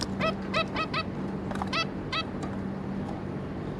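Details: A pair of zebra finches and three juvenile young, 26 May 2022: a quick run of about eight nasal, upward-bending calls in under two seconds, then quieter, over a constant low hum.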